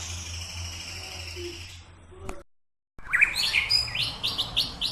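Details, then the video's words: Murai batu, or white-rumped shama, in training at Samadua: after low hum and a brief silence, a quick series of bright whistled and chipping notes. "Latihan Murai Batu"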